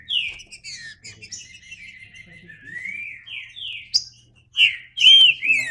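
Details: Song of a green-winged saltator: a run of softer gliding whistles, then several strong, clear whistled notes near the end, each bending in pitch.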